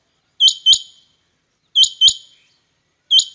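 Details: Rain quail in a calling competition between birds, giving sharp, high, metallic double notes, each pair repeated about every one and a half seconds in a steady rhythm.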